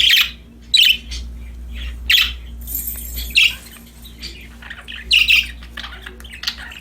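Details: Budgerigars playing happily, loud harsh chirps and squawks in separate bursts roughly every second, with quieter chatter between and a faint hum.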